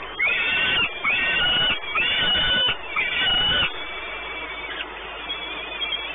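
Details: Peregrine falcons at a nest site at Orlen Płock, Poland, on 28 May 2019: loud, harsh, screaming calls, each drawn out for nearly a second, repeated in a steady series, then fainter calling.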